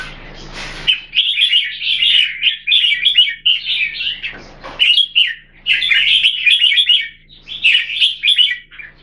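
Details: Red-whiskered bulbul, a cage bird kept in Singapore, sings bursts of lively, liquid whistled warbles, each phrase about a second long, separated by short pauses.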